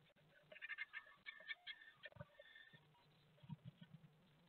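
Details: Great tits fighting at a nest box in Théding on 18 March 2020, caught by a nest-box webcam: bursts of short, rapid chirping notes in the first two seconds, then scattered softer calls over dull thumps and scratching inside the box.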